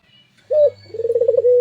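An albino Barbary dove gives a low, hollow coo: a short note, then a rolling, pulsing coo that settles into a steady tone, over a faint hum.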